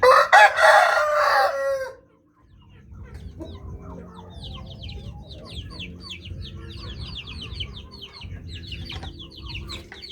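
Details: Bangkok chicken rooster crowing loudly: one long, harsh, rich crow in the first two seconds, then quiet with many small birds chirping rapidly in the background over a low hum.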